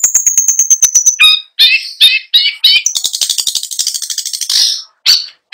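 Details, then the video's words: Long-tailed shrike in rolling nonstop song with mimicked material: a fast ticking trill, harsh buzzy phrases, then a long dense rattling burst; no background sounds. "PENTET GACOR FULL ISIAN | LAGU MEWAH | NGEROLL NONSTOP"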